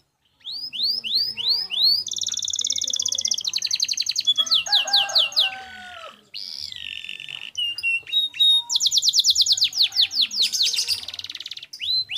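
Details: Canary singing a clear training song for caged songbirds: long varied phrases of rapid high trills, repeated falling whistles and buzzy rattles, each phrase changing pace, nearly continuous for about twelve seconds.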